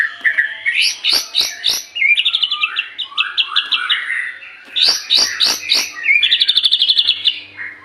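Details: White-rumped shama in vigorous song, used as a lure to prompt other birds to sing: fast varied phrases of high whistles, sharp downward strokes and rapid trilled notes, two bursts separated by a short pause.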